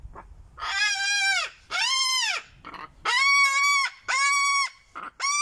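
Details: Male pet cockatoo outdoors in warm sun on a day after Thanksgiving, displaying and screaming loudly: four long, harsh, richly harmonic arched screams about a second each, separated by short pauses, ending with a brief fifth scream.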